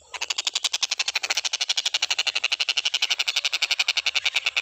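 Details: Stork-billed kingfisher recorded as tutor material for teaching cage birds to sing: an unbroken run of rough, buzzy notes, about four per second, slightly uneven in loudness throughout.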